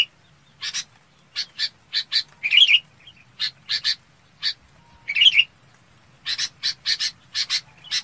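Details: Harsh, scratchy chip notes from a red-whiskered bulbul summoning its flock. They are delivered in uneven runs and pairs, with two louder rasping bursts midway and a quick series of six to close.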